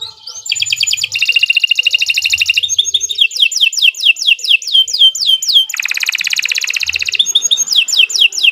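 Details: Canary singing at length as a master song for caged canaries: rising notes leading into fast buzzy trills, a run of descending whistled sweeps, another dense trill, and more sweeps.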